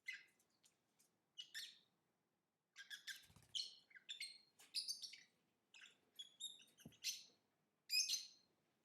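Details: Lovebird singing and chirping: a busy run of short high squeaky chirps and rasping notes in uneven clusters, with a couple of soft clicks between phrases.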